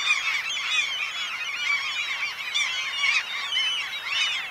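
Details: Chorus of black-legged kittiwakes (Krykkje) breeding on the Ona/Sandøy island group, Norway, in mid-May: many birds give nasal, wailing, wavering calls in overlapping bursts that swell roughly every second.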